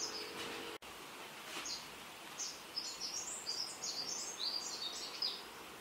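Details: Male Greater Double-collared Sunbird giving rapid, high-pitched twittering: a jumble of thin, squeaky notes from about two seconds to the end, after a brief click near the start, over steady background hiss.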